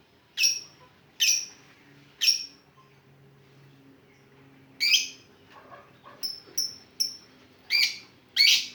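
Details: Lovebird in the ngetik style, a lure sound: sharp, piercing chirps spaced about a second apart, a quiet gap, then a cluster of thin short notes and two more loud chirps.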